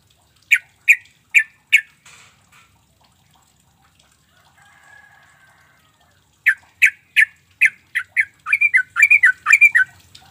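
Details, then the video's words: Sooty-headed bulbul used as a lure for unresponsive birds: a few spaced sharp notes, a quiet gap with a low murmur, then spaced notes quickening into a dense, rising-and-falling chatter. "Trucuk bahan ombyokan bakalan nyaut dengan pancingan trucuk ini"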